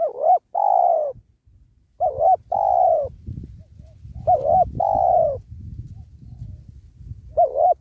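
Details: Cooing spotted dove used in trapping to attract wild doves near a sacred tree: repeated paired coos, a short wavering note followed by a long smooth falling one, with soft low rustling and handling noise between phrases.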